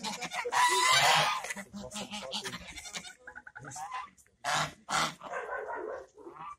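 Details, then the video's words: Talkative geese calling in a burst of harsh, nasal honks, loudest in the first second, then a run of shorter broken cackles with pauses, and a few louder honks near the end. "Балакучі гуси) Talkative geese)"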